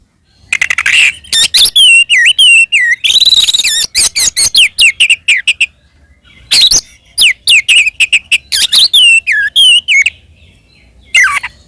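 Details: Oriental magpie-robin delivering its provocative fighting song, aimed at goading other magpie-robins; long bright sequence of looping whistles, buzzy scratchy passages and quick staccato notes, then a falling whistle after a pause.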